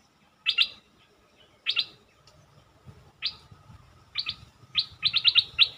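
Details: Bulbul sounds played to excite birds: a series of short, harsh, buzzy chirps, in pairs at first, then in a fast run of five or six near the end, over faint low noise.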